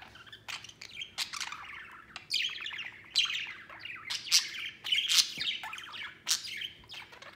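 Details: Pet budgerigars, including a white one, playing and flying outside their cage: a busy stream of squeaky chirps, warbles and short harsh notes, mostly high-pitched and irregular, with a faint low hum behind.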